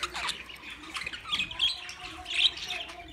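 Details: A short burst of budgerigar chatter, with scratchy warbling and high squeaky chirps from several birds, one sharp squeak rising above the rest near the end.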